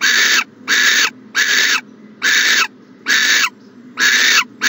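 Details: Owl at a nest box on a January 14, 2020 morning, giving harsh, breathy hissing bursts about half a second long, repeated roughly once a second with short silent gaps, six in a row.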